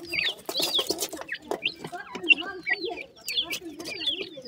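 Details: Francolin chicks call in clear, separate high chirps that swoop downward, spaced roughly every half second, with muffled low twittering and brief noise early on.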